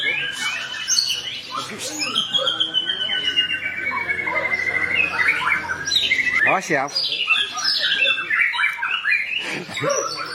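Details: White-rumped shama song used to tutor captive shamas: a long rolling delivery rich in varied fill-ins and sharp shot-like notes. Clear whistled sweeps slide gradually downward, then give way to dense chattering bursts and quick rising flourishes.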